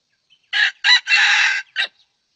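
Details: Red junglefowl crowing during a session luring wild junglefowl with a decoy bird: a loud, harsh crow in four bursts, two short notes, a longer held middle note and a clipped final note, over quiet background.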